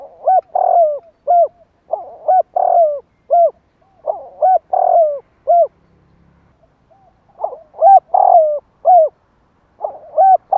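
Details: Spotted dove call for stirring wild doves: dense phrases of short hoots and long falling coos, a silent pause near the middle, then the phrases resume loud and clear.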